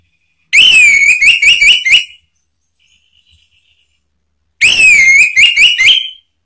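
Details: Male orange-headed thrush (Geokichla citrina) gives agitated, spontaneous answering song to a rival: two loud, identical phrases about four seconds apart, each a high slurred whistle then a quick run of clipped notes.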